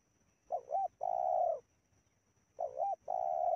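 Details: Spotted dove in Indonesia calling while luring wild doves: two matching phrases, each a short wavering double coo followed by a long, steady, hollow coo, with a pause of about a second between them.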